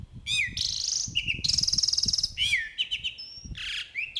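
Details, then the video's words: A Jalak Uret starling in full song sings a lively, varied jumble of sharp whistles, buzzy notes and a fast rattling trill, with faint low thumps underneath. "JALAK URET FULL ISIAN GACOR"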